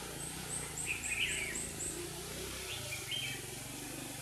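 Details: Red-whiskered bulbul used as a trap decoy in Hòa Bình, singing to attract wild rivals; two warbled phrases, one early and one later, alongside a rapid series of thin high ticking notes and low hum.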